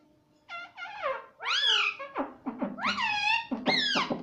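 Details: Talking pet parrot repeating "Mummy" and "Mitthu mitthu"; a fast, continuous chatter of harmonic, arched syllables, some loud and drawn out, others short and clipped, rising and falling in quick succession.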